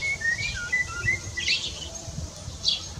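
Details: Male Eurasian blackbird sitting on a rooftop singing its calm evening song, with another blackbird answering in the distance. A few soft fluted whistled phrases sound over steady low background rumble.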